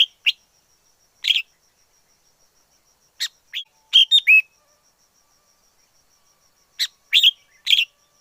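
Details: Wild forest red-whiskered bulbul delivering scattered chirps and a clear, whistled rolling phrase of three slurred notes, followed by a closing cluster of bright notes, with quiet gaps between.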